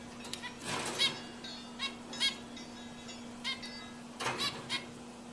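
A zebra finch gives short, nasal, trumpet-like calls at irregular intervals over a steady low hum.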